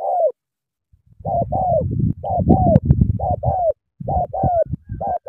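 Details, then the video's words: Cà Mau spotted dove in sắm thổ style: clear short falling coos in pairs and triplets over a continuous low rumbling noise through most of the clip. "Sắm thổ quá hăng hàng gù tuyệt vời"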